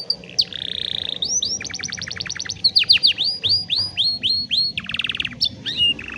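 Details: Canary song recorded on a cellphone for training young canaries: varied phrases of buzzy rolls, fast stroked trills and a series of arching upswept whistles, with faint low background hum.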